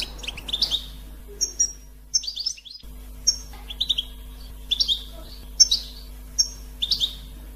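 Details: Goldfinch batbata chatter intended to draw goldfinches in for trapping. Slurred, bright chirps and short whistled notes repeat irregularly, about seventy-five a minute, over a steady low electrical hum.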